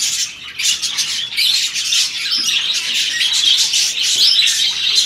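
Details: Breeding-season budgerigar pairs during mating: continuous scratchy warbling and sharp squawks, growing steadier and louder after the first second.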